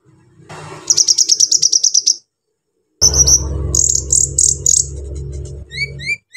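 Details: Brown-throated sunbird in full song, used to stir up untrained sunbirds: a fast run of a dozen identical high chips, a pause, then buzzy high notes and rising whistles over a strong low hum.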